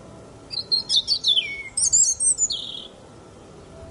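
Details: Eurasian blackcap singing: a quick jumbled warble of high, rapid twittering notes that slide downward, a short pause, then a second bright burst ending in a clear fluted whistle. Quiet background otherwise.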